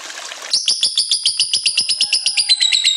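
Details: Lovebird in continuous ngekek chattering song: after half a second of faint hiss, a rapid train of high, bright chirps pulses about four times per second, steady to the end.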